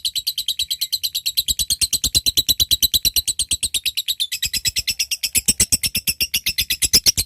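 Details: Long ngekek chatter from a gacor lovebird calling a rival: continuous fast, regular rasping pulses, about ten a second, with brief shifts in tone midway.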